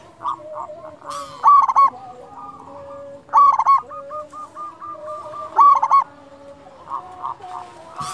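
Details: Local zebra dove singing, used to coax silent or stressed doves into song: rolling, bubbling coo phrases about every two seconds, with quieter cooing and a faint low hum between them.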